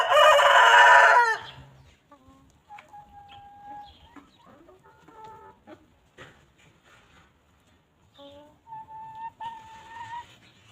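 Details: Free-range chickens on a farm pecking and grazing on fresh grass; a loud harsh burst opens, then soft tonal clucks and drawn-out whines from hens follow at intervals, with quiet gaps between.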